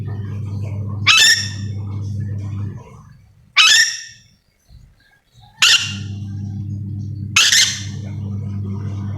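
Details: Yellow-and-green lorikeet from Sulawesi giving four harsh, buzzy screeches at irregular intervals of two to three seconds, a low background hum cutting in and out.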